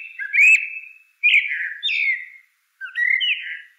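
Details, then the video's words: Blackbird singing three clear whistled phrases that slide and warble around the middle range, each closing with a falling flourish and separated by short pauses, with faint high squeaky notes above. "CANTO DO MELRO PRETO"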